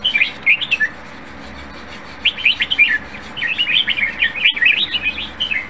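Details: A caged Red-whiskered Bulbul (Pycnonotus jocosus), said to sing well and be nearly ready for competition, sings bright, bubbly warbled phrases: a short opening burst, a pause, then a lively run of quick liquid notes over a faint low hum.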